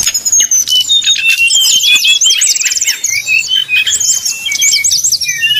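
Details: Brown-chested jungle flycatcher singing in 'nyuling' style, a lure to make rival birds sing: a continuous stream of high, sharp whistles and buzzy trills mixed with rising and falling slurs.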